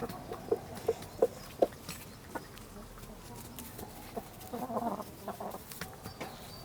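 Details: Village hens clucking in the countryside: a run of short, sharp clucks repeated about every third of a second, then a busier burst of overlapping clucks, over steady outdoor background noise with faint bird chirps.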